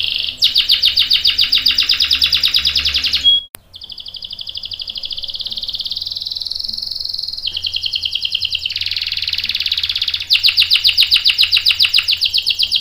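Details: Canary song used to provoke other canaries into singing: long buzzy trills between two and six kilohertz-pitched bands, changing tone every few seconds, with a brief click, then a rapid ringing roll at the end.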